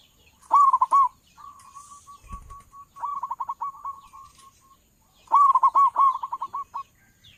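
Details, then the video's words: Zebra dove of a local strain with a strong voice, used to lure doves for trapping, delivers three phrases of quick, stuttering coos, the middle one softer and longer, the last loud and trailing off. "perkutut lokal suara besar cocok buat para pemikat burung perkutut"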